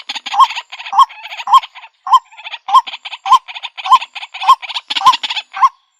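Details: White-breasted waterhen calling, captured with a Xiaomi Redmi Note 8 phone for luring birds: a steady series of short hooked nasal notes, about ten in six seconds, each wrapped in rattling harsh overtones.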